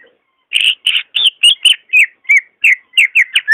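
Greater green leafbird song: a quick run of about a dozen clear, slurred whistled notes, high and bright, some rising and some falling, delivered about three per second.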